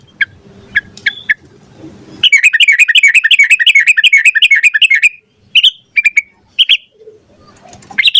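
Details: Sooty-headed bulbul in lively song, used as a lure to prompt other birds to sing: a few sharp separate chirps, then a long fast roll of bright chattering notes lasting about three seconds, followed by scattered clipped calls.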